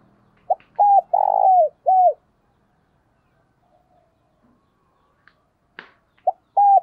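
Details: Spotted dove kept as a lure bird, cooing in 'thúc' and 'gáy gọi' fashion. One full phrase of clipped notes, a long buzzy coo and a falling tail is followed by near silence and a sharp click. A new phrase then begins.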